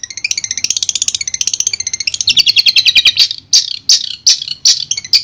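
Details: Sound therapy for a shrike that has stopped singing, featuring Long-tailed shrike song: a rapid rolling trill of high notes quickens and descends, then slows into separate loud, rasping chirps about every half second.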